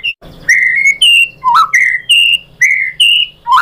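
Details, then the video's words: Loud, pure whistled notes from a white-rumped shama lure song, alternating a lower and a higher pitch in a steady, nearly even rhythm, with a short rising slur in between. "KICAUAN MURAI BATU bikin NYAUT ikut GACOR BONGKAR MATERI ISIAN ¦ PANCINGAN MURAI¦ SHAMA BIRD"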